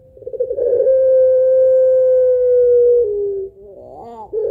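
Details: Domestic puter pelung dove with a long 'kuwok' two-note lure song: one sustained, even hoot held for nearly three seconds that drops a little at the end, followed by a brief quavering flourish.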